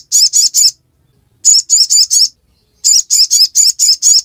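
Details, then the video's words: Ngiriwek-style song of a ruby-cheeked sunbird, known locally as sogon: three high buzzy chirps, then four, then a longer run of about eight, each run separated by short pauses, with nothing else audible. "Sogon | Kicauan ngiriwek pastikan sogok ontong bahanmu ikut bunyi"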